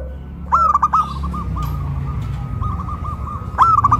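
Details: Caged zebra doves lifted on a pole in Kuningan, West Java, in a big-voice versus crystal-voice duet; a loud trilled coo phrase, softer distant coos in between, then another phrase starting, over a low rumbling background.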